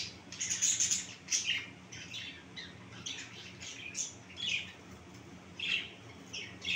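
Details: Caged finches kept for breeding, giving short high chirps and squeaky calls in irregular bursts, some overlapping, over a faint steady low hum.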